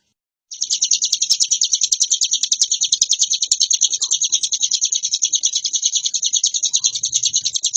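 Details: After a moment of silence, a hill prinia launches into varied, continuous singing, a high, rapidly pulsing chatter that carries on unbroken to the end.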